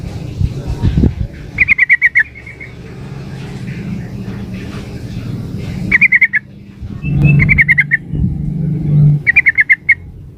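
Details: Female yellow-vented bulbul calling to a male: short runs of rapid, sharp chattered notes come three times, partly over loud passing-vehicle noise and a low engine drone.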